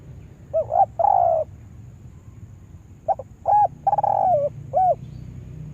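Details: A spotted dove kept as a lure bird for trapping coos in short phrases of mellow, hollow notes, each phrase a brief rising note then a longer level one, with a pause of about two seconds between groups.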